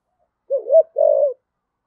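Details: A decoy spotted dove in the 'giọng thổ' style gives a single low coo phrase: a wavering two-part hoot rising to an accent, then a smooth held coo that fades.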